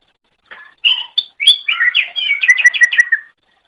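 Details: Pet greater green leafbird training song: a few soft notes, then a lively run of loud whistles descending into a rhythmic series of repeated slurred notes, about five per second.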